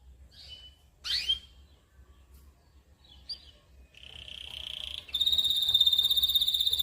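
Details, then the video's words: Local canary master song, recorded to train other birds with a rich, varied repertoire: scattered sharp chirps, then a buzzy sustained roll and a loud, bright, very rapid trill for the last two seconds. "masteran kenari isian mewah"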